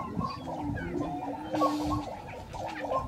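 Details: Lek display by grouse in Colorado, April 2023: clucking notes repeated steadily about three to four times a second over a low, droning hum, with several birds overlapping.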